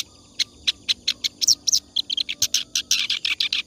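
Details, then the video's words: Clamorous reed warbler singing nonstop, offered as a tutor song for other birds: a rapid run of harsh, chattering high notes, about six per second, with brief sharp whistles mixed in. "BURUNG KERAK BASI NGACOR"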